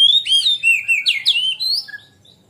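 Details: Oriental magpie-robin in full ngeplong song as a training lure for young birds. Loud sweet whistles swoop up and down in quick succession, a varied phrase of about a dozen notes that fades out after two seconds.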